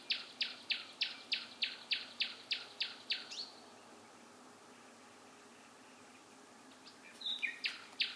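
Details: Bird song in the night: a steady series of loud, repeated down-slurred notes, about three per second, a quiet gap, then more high varied notes.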